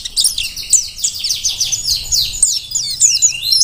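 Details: High, fast, sizzling warble from a Dakun-type mountain white-eye, wild-caught on Merapi and used for tutoring, made of densely packed slurred chirps with no pauses.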